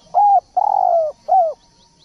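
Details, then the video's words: Spotted dove in full song: a level mellow coo, then a long trembling coo gliding lower, then a short arched coo, with faint high chirping from other birds at the end. "Masteran Derkuku / Tekukur gacor"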